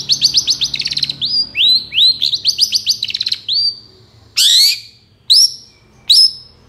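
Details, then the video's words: Long-tailed shrike song used as a lure to prompt silent shrikes to answer: fast runs of sharp chattering notes broken by rising whistled slurs, then loud harsh rasping calls about once a second. "SUARA CENDET INI"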